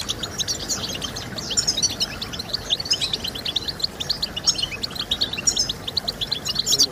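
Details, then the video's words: European goldfinch singing, played to motivate goldfinches to sing: busy high-pitched twitters and liquid trills run on without pause, with bright buzzy flourishes against constant low rumble. "Stimulating Birds with Goldfinch Sounds"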